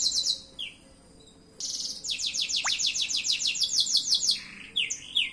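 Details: Canary song with a few short high notes, a brief pause, then a long fast rattling trill of evenly repeated notes that breaks into downward slurred whistles.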